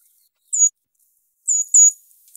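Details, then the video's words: In winter woods on the Mendocino Coast, a Brown Creeper, far more often heard than seen and found lower in trees, gives a thin, very high sibilant single note, then two quick, clear, descending 'trees' notes a second later. "trees trees the two note two clear notes is the brown creeper that's the call of the brown creeper"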